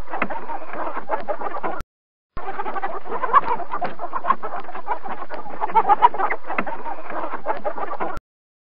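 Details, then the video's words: Chickens clucking: a dense, continuous chorus of rapid, overlapping clucks and cackles from several birds, broken by one short silent gap near two seconds. "मुर्गी - chicken sound"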